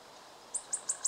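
A wood warbler gives four very high, thin ticking notes, about five per second, like the start of its accelerating trill, over faint background hiss.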